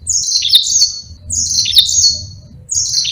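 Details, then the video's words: Yellow-fronted canary singing a long, lively rolling song meant for training other songbirds; high twittering phrases each sweep down in pitch and repeat almost back to back, with a soft low background hum. "Burung Mozambique GACOR NGEROL PANJANG sangat Jitu buat masteran"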